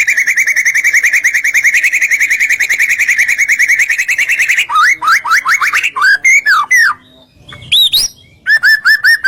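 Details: Song of a white-rumped shama, used to provoke other shamas: a long rapid whistled trill, then a run of looping upslurred whistles and a few scattered high and low notes.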